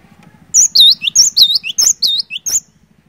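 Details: Cinereous tit in full song, played to coax silent birds into calling: roughly six quick repeats of a high, ringing three-note motif, with a sharp top note, a curved whistle and a dropping tail, slightly uneven in pace.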